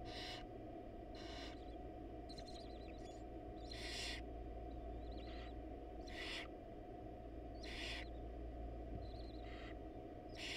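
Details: Wild barn owls in a monitored nest box as the male drops off a rat while the mother is away; harsh, breathy hisses of about half a second repeat irregularly, with faint chittering between them over a steady low hum.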